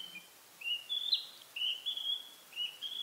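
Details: Spring narcissus flycatcher singing from a pine branch in a pine forest, claiming territory. It gives a steady run of clear, high whistled notes, some sliding and some held, repeated about once a second with no pauses.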